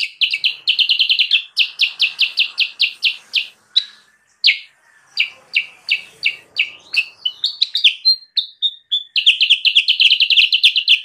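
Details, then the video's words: Sooty-headed bulbul sounds used as a lure for wild birds: dense bursts of rapid chips, a looser stretch of varied whistled notes and short pauses, then another fast rattling run. "suara burung kutilang sutra gacor"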